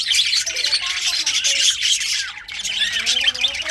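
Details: Budgerigars in winter produce a loud, dense warbling chatter of high squawks and chirps, with a few short downward-sliding notes and one brief lull near the middle.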